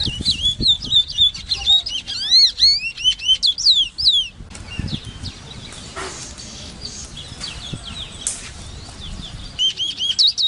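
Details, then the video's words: Large-billed seed finch, known locally as congo, singing rapid clear whistled phrases with swooping upslurred and downslurred notes for about four seconds, then a stretch of hissy noise, before the song resumes briefly at the end. "SONIDO DE CANTO DE AVE CONGO (Sporophila crassirostris)"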